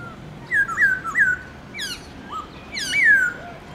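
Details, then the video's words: Chinese hwamei (Garrulax chinensis) kept as a cage bird, morning forest-style song: loud clear whistles slurring down, short upward flicks and a long descending whistle, switching between voices. "Khướu bạc má HÓT GIỌNG RỪNG- LUYẾN NHIỀU ÂM"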